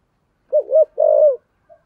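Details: One phrase from a decoy spotted dove in the thổ voice style, used to draw in wild doves: two short rounded coos followed by a longer, slightly falling coo, then a faint trailing note.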